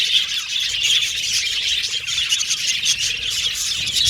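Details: Many budgerigars in an aviary twittering together, producing a dense high chatter of clipped squeaks and chirps that never pauses.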